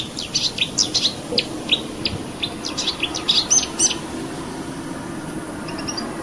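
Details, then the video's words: Marsh warbler, a mimic of many other bird species, delivering a burst of quick high chirps and clicks for about four seconds, then falling quiet apart from a few faint notes against low background noise. "VARIASI KICAU MARSH WARBLER"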